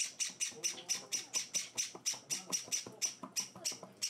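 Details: Young Java sparrows being hand-fed on their fourth day at home produce a regular string of sharp, scratchy, high-pitched chirps, roughly four per second, over a murmur of low speech.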